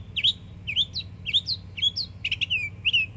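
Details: Young Northern mockingbird singing in Florida: upslurred whistled phrases repeated in pairs, short higher squeaky notes between, then a stuttered doubled burst and a falling whistle at the end; faint low hum behind.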